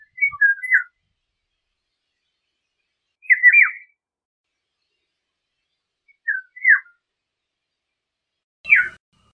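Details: Four liquid, flute-like phrases from a Eurasian golden oriole, delivered about every three seconds, each a short tumbling whistle that dips at its end; a faint knock accompanies the last phrase.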